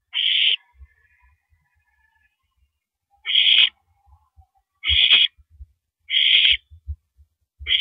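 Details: Owl at 5:40 AM on April 13, 2012 giving separate harsh, breathy screeches spaced a second or more apart, with a longer quiet gap early on and low thudding sounds between calls.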